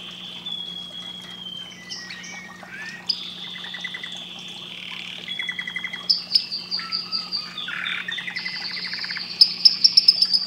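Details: Canary song of long sustained whistles and buzzy tones, then rapid repeated trills growing louder toward the end, with a faint constant low hum.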